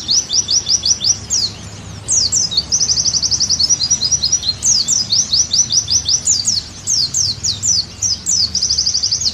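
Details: Oriental white-eye singing strongly as a therapy and tutor track: rapid high chirp series, long evenly pulsed trills, and bursts of steep sliding notes, with brief pauses between phrases.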